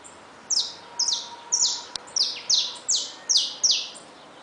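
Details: Newly hatched chicks share a cage with saffron finches. Sharp, high notes sweep downward, eight of them at an even, lively rhythm over four seconds.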